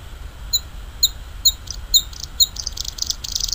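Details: Wild Bluethroat song: about five sharp, high, clear notes repeated roughly every half second, then breaking into a rapid, buzzy, ticking series. A low hum runs beneath throughout.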